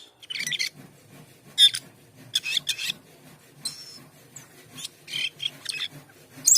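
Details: Asian pied starling, a caged songbird in full song, gives harsh raspy bursts and buzzy chattering notes in irregular spurts, with a brief whistle near the end; faint low hum beneath.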